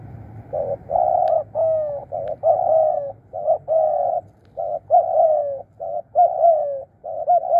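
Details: Spotted dove used as a decoy bird for calling wild doves in, giving a 'krun' style cooing call: low mellow coos in clipped bursts, some long and slightly falling, repeated in a broken rhythm about once a second. Quiet background.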